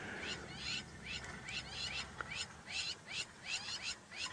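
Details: Lapwings in the Maasai Mara at 6 AM on 5 August 2017 shout at a hunting serval that might take their chicks: quiet, sharp, high chirping notes repeated almost three times a second over a soft background hiss.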